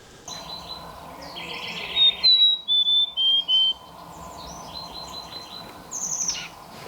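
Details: Mountain Chickadee in woods around a mountain spring on Mount San Jacinto, singing the local dialect, unlike the Sierra's "cheeseburger" song: five clear, pure whistled notes in under two seconds, the first highest, over soft chatter from other birds.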